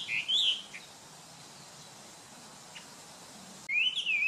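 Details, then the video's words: Chinese hwamei (Garrulax canorus) song: loud, clear whistled phrases sliding up and down, with a quiet pause between two bursts of song. "Zagateiro - da - China - Canto"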